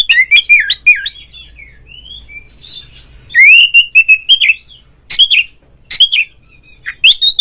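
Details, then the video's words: Oriental magpie-robin, kacer in ngeplong song, played so that other magpie-robins join in: bursts of loud warbled whistles and sharp chips, separated by short pauses, with slurred notes rising and falling. "suara panggilan Kacer NGEPLONG nge-play Ngobra GACOR bikin semua JENIS BURUNG KACER ikut GACOR"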